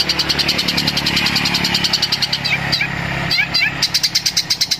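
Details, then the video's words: Long-tailed shrike (cendet) mimicking fighting sparrows: rapid, high, sparrow-like chirps in fast pulses with a few quick falling notes, over a low engine hum. "Cendet tembakan Greja tarung"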